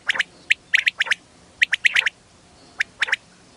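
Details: Female quail call used in quail hunting in wheat fields: short, sharp chirped notes given in quick pairs and triplets, bursts spaced about half a second to a second apart, over a quiet background.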